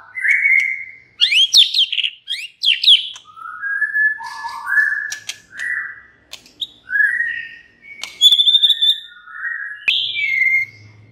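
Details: White-rumped shama song for provoking other shamas to sing, with long clear whistles, downward-sweeping notes and a short high rattle, delivered in a steady varied sequence.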